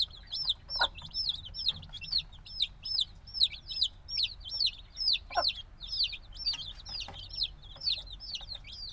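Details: A flock of black chicks hatched days earlier, still wanting warmth from the mother, cheeping loudly: clear high downward-sweeping peeps in rapid, uneven bursts about twice a second, layered from several birds.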